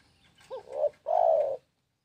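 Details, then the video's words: Spotted dove gives a curled opening note and a swelling coo, then a prolonged, smooth, low coo. The phrase ends in silence. "SUARA BURUNG TEKUKUR"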